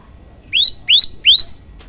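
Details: Three clear rising whistled notes from a yellow-bellied prinia, evenly spaced, in a song recorded as a master to excite other birds; the background is otherwise quiet.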